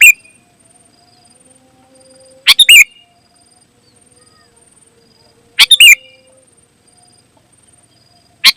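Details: Sooty-headed bulbul song meant to lure other bulbuls into answering: three brief, forceful chattering bursts spaced roughly three seconds apart, with faint steady tones in the background.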